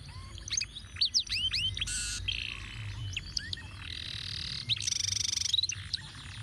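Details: Ruwet-pattern canary song meant as a model for tutoring other birds: quick rising whistled slurs, short buzzy bursts and high dry trills in varied sequence, over low continuous hum.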